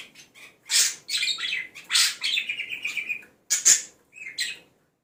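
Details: Budgerigar singing a mimicry song with copied calls of the red-whiskered bulbul, the white-eye, the laughing lovebird and fighting sparrows; loud scratchy bursts, a trilled run of repeated notes, then sharp chips.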